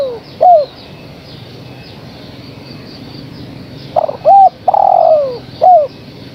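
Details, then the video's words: A female spotted dove calls the male: a trailing short coo, then after a pause a full phrase of stuttered notes, arched coo, long downward-sliding coo and a brief down-slurred final note. "Suara Tekukur Betina Gacor Memanggil Sang Jantan"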